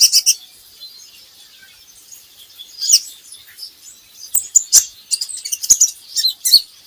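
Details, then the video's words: Van Hasselt's sunbird (kolibri ninja) recording used to coax birds into singing: high thin chirps and trills in bursts at the start and end, with sharp clicking notes scattered through the second half. "PANCINGAN KOLIBRI NINJA Bahan Agar Bunyi"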